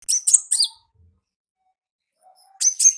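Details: Olive-backed sunbird singing ngalas-style in the wild: two bursts of high, thin chirps with sharp downward sweeps, separated by nearly two seconds of silence.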